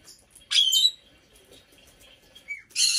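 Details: Five-year-old female black-headed parrot kept as a pet in an indoor bird room. A loud, rasping squawk, then a brief thin whistle-like note, and finally another harsh screech starting abruptly.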